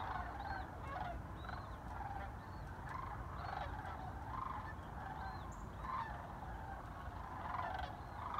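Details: A large flock of migrating sandhill cranes flying over Chicago's North Shore on 7 December gives rolling, trumpeting bugles, many voices overlapping continuously, over a steady low rumble of traffic or wind.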